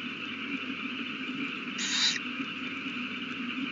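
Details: Owl on the nest with a newly hatched chick, 8:32 pm, 18 April 2019; a single breathy, hissing burst lasting under half a second against a continuous electrical hum.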